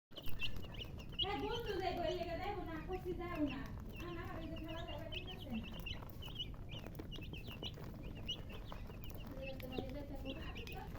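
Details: Baby chicks chirping: many short, high peeps repeated rapidly throughout, partly overlapped by a person's voice speaking in the first half, over a steady low background hum.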